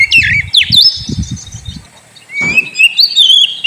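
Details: Oriental magpie-robin singing as a lure for a sulking bird: sweet whistled phrases sliding up and down, a brief pause, then a long rising whistle into high warbling, over low dull knocking thumps.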